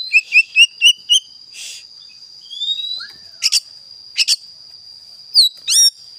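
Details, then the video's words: Oriental magpie-robin, a kept songbird, giving rapid repeated whistled notes, then a slow rising whistle, paired sharp clicks, and steeply swooping chirps near the end, with a constant high background tone. "Kacer isian mistis"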